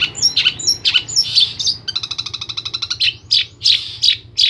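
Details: Long-tailed shrike from Central Java in varied song: falling whistles and sharp chirps, then a fast even stutter of harmonic notes, then more bright chirps.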